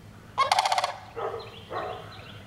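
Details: One loud, rolling, beaded rattle from a sandhill crane, followed by two softer, hoarse, lower calls.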